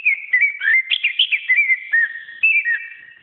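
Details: Greater green leafbird singing in a training recording for pet birds: warbled, wavering whistles mixing rising slurs, quick chirps and sustained level tones in a continuous lively phrase.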